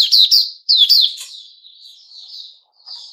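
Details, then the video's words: On 29 August 2021 a Puteh Raja white-rumped shama gives two quick pairs of piercing, ringing notes, followed by a drawn-out, soft, fluttering warble. "Puteh Raja Sing Buka"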